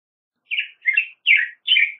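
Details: Black-headed grosbeak song: four rich, warbled phrases of about a quarter second each, sliding up and down in a fairly high register, separated by short pauses against a quiet, clean background.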